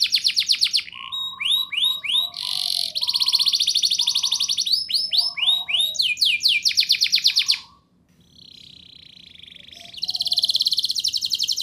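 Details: Canary song to coax young canaries into singing: quick trills and rising whistles over soft lower piping notes repeated in short bursts, a pause with a faint buzz, then a high fast trill.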